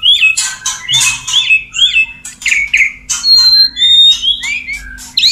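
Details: White-rumped shama male courting a female before mating: loud slurred whistles interleaved with harsh buzzy bursts, then thin high whistled notes and a final rising slur.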